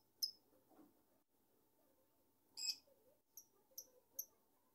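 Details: A pet lovebird gives a harsh, noisy shriek, then a louder rasping squawk, followed by three clear high chirps in quick succession against a low steady hum.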